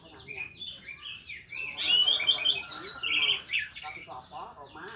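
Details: Orange-headed thrush in full ngeplong song at dawn, used to coax reluctant thrushes to sing; a steady stream of varied whistles, trills and short chattering notes that swell to a loud peak in the middle.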